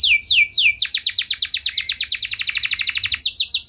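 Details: Canary in long, lavish song that prompts other canaries to respond: a few slow descending whistles, then a rapid, dense series of sharp, clipped notes before returning to slower slurs.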